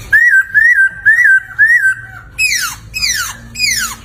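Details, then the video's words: Poksay laughingthrush, a master song for training cagebirds: four rising-then-falling whistles at even half-second spacing, followed by three loud, sweeping, descending harsh notes. "Suara Merdu Burung Poksay Gacor"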